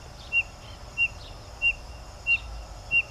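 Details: Spotted nothura in Minas Gerais, Brazil: short, high, thin whistled notes, each slurring slightly downward, repeated evenly about every two-thirds of a second, five notes over a steady background hiss.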